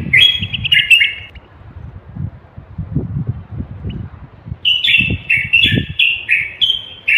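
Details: Moroccan common bulbul from North Africa giving two bursts of rich whistled phrases, one at the start and a longer run of slurred notes after a quiet gap, over low rumbling noise.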